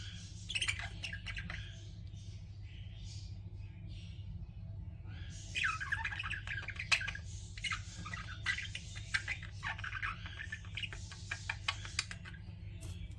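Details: Chattering pet budgies giving bursts of scratchy warbles and rapid high chirps, rising in activity toward the middle and continuing with sharp ticks, a low hum underneath.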